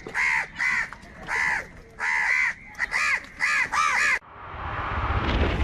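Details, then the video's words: Huge numbers of crows calling while fighting for food: loud, rasping caws in irregular bursts of one or two, ending abruptly in a rushing, wind-like noise. "Kaka sound and noises of Crow birds | Huge numbers of Crows Crowing and Crying sounds"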